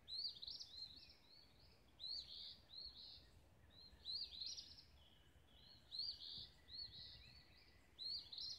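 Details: Dawn chorus at sunrise in Olivehill, Tennessee: clear high twittering phrases that rise and drop, delivered in regular bursts about once a second, with soft distant calls beneath and low ambient noise.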